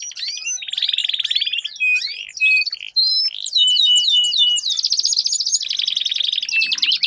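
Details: Dueling canaries: varied whistles, buzzy rolling trills and held tones mixed with sweeping notes, loud and continuous.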